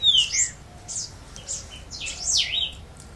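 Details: Green-winged saltator on its first day of singing, giving a few loud slurred whistles, rising and falling notes with a sharp downward sweep near the end, over a faint background hiss.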